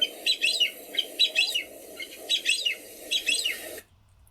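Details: A pair of Grey-winged Francolins, a South African endemic, calling by the roadside after leaving De Hoop: high, squeaky, grating phrases about once a second over a steady low rumble.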